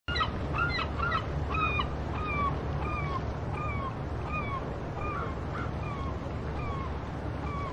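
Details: Gulls at Pea Point, New Brunswick, on the seaside give short, slurred, downward-falling mewing calls, several overlapping, about two a second, over a steady low rumble of surf and wind.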